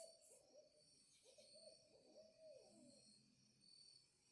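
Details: An owl, from owls living behind a house, gives a series of low, mellow hoots in the distance, some slightly wavering and falling, with faint background hiss throughout.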